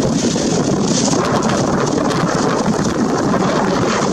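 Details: Heavy rain drums loudly and continuously on a surface, a dense roar with no animal calls audible.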